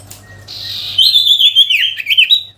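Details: Sooty-headed bulbul song aimed at a rival: after a soft hiss, a high rippling warble that dips and rises in quick zigzags, with a faint low hum.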